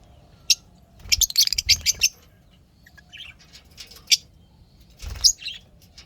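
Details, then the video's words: Happy lovebirds give sharp squeaky chirps and a brief cluster of rapid chattering notes, followed by scattered softer calls and a final harsh burst. "lovebirds chirping sounds happy"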